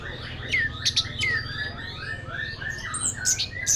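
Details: Orange-headed thrush, a contest champion kept in a cage in Tasikmalaya, Indonesia, gives quick downslurred whistles and sharp high chips in a busy run, while a low background hum continues.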